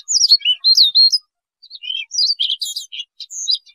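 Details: Siberian rubythroat song used to lure birds into traps: bursts of quick, high, bending whistles and scratchy chirps, split by a half-second pause, clean background.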